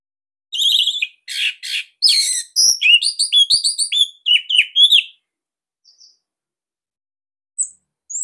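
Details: Bali Orange-headed thrush giving a dense, loud song meant for training other birds: buzzy opening notes, then a rapid series of short, downslurred whistles lasting about three seconds, followed by near silence with faint, scattered chips.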